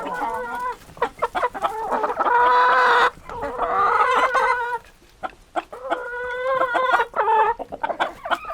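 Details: Rooster crowing: a loud, drawn-out harmonic crow mid-clip, with shorter crowing phrases and clucking notes before and after.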